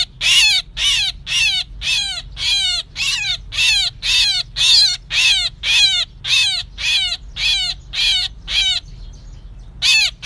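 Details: Myna lure sound for trapping, 2024. A long run of harsh, buzzy bursts with falling tones, about two per second, breaks off with a short pause near the end before one more burst.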